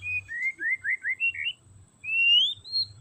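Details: White-rumped shama whistling to stimulate a shama that sings too little: a string of short rising whistles in quick succession, a brief gap, then one long climbing whistle and a final note.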